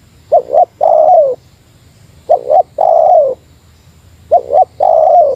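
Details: Spotted dove calling to challenge a rival in the Meratus lure style: three phrases, each a quick double coo and then a long slurred coo, spaced roughly two seconds apart, with low background hum.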